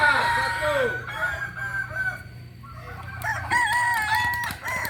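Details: Kokok Balenggek rooster from Solok, West Sumatra, Indonesia: a crow ending in looping notes, a quieter stretch, then a new bright multi-syllable crow with held tones.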